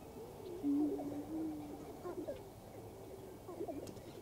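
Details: Several prairie chickens displaying on a lek in western Minnesota on April 11, 2024 give low, hollow moaning hoots amid busy clucks and cackles; snipe winnowing and sandhill cranes in the background.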